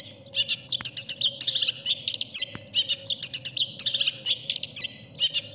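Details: Cendet (long-tailed shrike) masteran song with full isian, its mimicked filler phrases favoured by judges: loud bursts of jumbled high chirps and squeaky notes in quick phrases, pausing briefly between them, with a low background hum.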